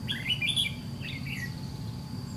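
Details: Wild-caught white-cheeked red-whiskered bulbul in a trap fight with a decoy; a rapid string of sharp, tumbling chirps followed by a softer falling phrase, over low background hum.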